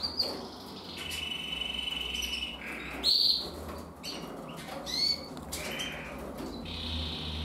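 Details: Young male red mosaic agate canary from 2024 singing in a cage, an older bird present; sustained whistled notes, short trills and sharp chirps separated by gaps, with some fluttering sounds.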